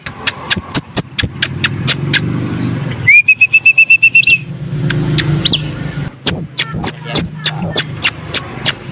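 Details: Sulawesi myna singing vigorously: sharp clicking notes, a held high whistle, a steady mid-pitched rattling trill, then a swooping note and more high whistles mixed with clicks, over a low background rumble.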